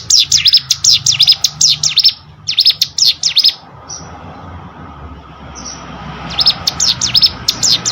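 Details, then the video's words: Hill prinia song for training competition birds: bursts of high swooping V-shaped notes, then a few seconds of near-quiet with two thin whistles and background hiss before the rapid sweeps resume. "CIGUN ATAU PRENJAK GUNUNG!!! MASTERAN UNTUK BURUNG LOMBA"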